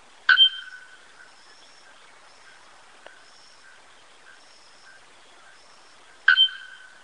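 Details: Bare-throated bellbird giving two single loud, clanging metallic notes about six seconds apart, with faint, quiet calls and a soft click in between.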